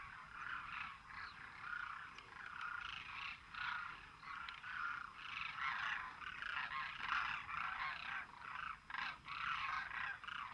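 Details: Dense chorus from a flock of Demoiselle cranes, with continuous overlapping croaking and rattling calls throughout and no clear pauses between birds.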